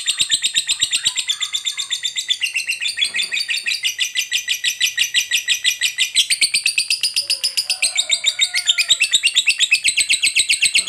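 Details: Lovebird fighter delivering its long ngekek trill, used to provoke rival lovebirds; continuous rapid shrill chattering with slight rises and dips in pitch, pulses packed tightly throughout, brief faint lower whistles in the background.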